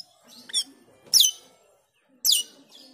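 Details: Black-winged myna (jalak keling) call used as a lure to train other birds: three harsh, screechy squawks, each a quick noisy burst about a second apart, over a faint low background hum.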